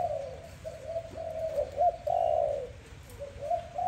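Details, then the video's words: Soft morning dove calls, a chain of short, rounded coos rising and falling in loudness, one stronger drawn-out note in the middle, quiet background. "Dove lovely sound -morning sound of dove"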